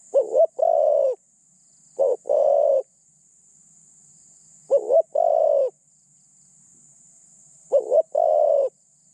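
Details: Spotted dove kept as a decoy bird for luring other doves, with a medium-pitched voice and a light cooing style; low hooting coo phrases, each a short wavering note then a longer steady one, repeated about every three seconds.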